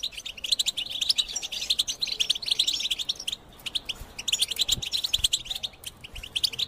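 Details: Goldfinch song: a dense, fast run of sharp, clicky high chirps and twitters, delivered continuously with only a brief dip in the middle.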